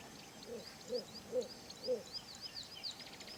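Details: Dwarf Bittern hidden in dense reeds in a Kruger National Park wetland, where it is uncommon to rare, gives its soft, repetitive pumping call: four low hooting notes about every half second, with thin high bird twitters above.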